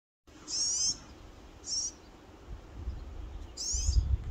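A Eurasian siskin gives three thin, high, squeaky calls spaced a second or two apart, over a low rumbling background that swells toward the end.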